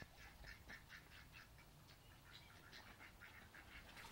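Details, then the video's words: Two male mallards fight over a female, giving rapid, raspy, nasal calls in bursts of about two a second over a low background rumble. "Mallards Fighting"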